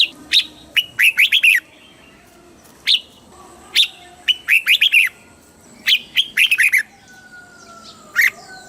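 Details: Thai caged red-whiskered bulbul singing the southern master phrase for stimulating and teaching birds: the same quick warbled phrase of sharp chirps repeats about every two to three seconds, ending with a single clear note.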